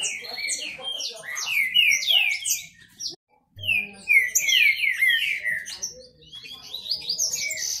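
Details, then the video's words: Dueling kept Green-winged saltator males. Dense overlapping whistled phrases, each dropping in pitch, break off for a moment of silence and then resume just as loudly. "Esquente seu trinca ferro disputa e macheado"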